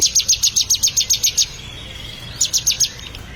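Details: Bar-winged prinia in song training, uttering a rapid series of high, clipped chips, about ten in a row, then a short pause with a thin whistle and another brief burst.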